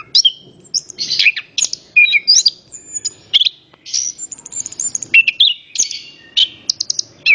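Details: Lure song of an orange-headed thrush, meant to get other birds singing: quick bursts of high whistles, chirps and slurred notes, each phrase different, separated by brief pauses in a quiet setting.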